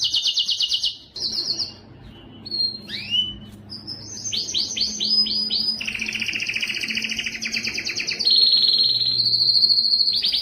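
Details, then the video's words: A yellow canary sings a long, unbroken run of high rolling trills, quick repeated chips, rising sweeps and buzzy tours, over a faint low hum. "yellow canary singing"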